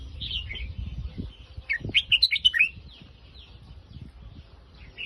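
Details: Red-whiskered bulbul in Phetchaburi-line song, soft chirps leading into a lively phrase of five or six loud, liquid whistled notes in quick succession, then quieter twitters and a faint knock.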